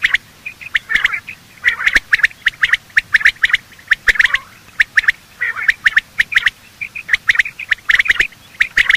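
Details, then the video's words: Quail morning call, male and female, used to hunt quail: almost continuous clusters of sharp whistled notes with brief raspy chatter between groups, steady energetic calling throughout. "Quail calling sound: master the Art of Quail tripping | Bater Awaz Subha"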